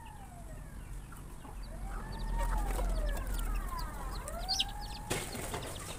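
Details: Many farm chickens, startled by a noise while eating, give drawn-out arching calls that rise then fall, several overlapping, amid scattered high chirps, pecking clatter and a steady low hum.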